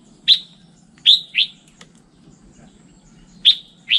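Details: Red-whiskered bulbul with a 'standard' voice: short, bright, downslurred chirps, single or in quick pairs, spaced about a second apart, with a soft low hum underneath.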